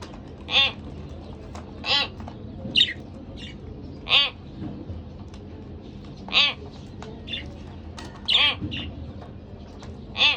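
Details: Two pet budgerigars, a couple, trading harsh, grating squawks at irregular intervals of one to two seconds, some doubled, with quieter chirps between them and a low steady hum.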